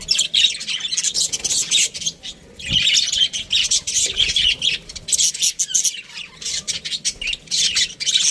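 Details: A flock of aviary budgies keeps up a steady, busy chatter of high chirps and twittering warbles, with a single dull knock partway through.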